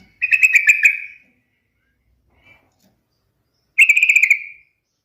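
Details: Trucukan, the yellow-vented bulbul, sings two rapid bubbling bursts of clipped, rich notes, each phrase about a second long and separated by a few seconds of quiet, clean background.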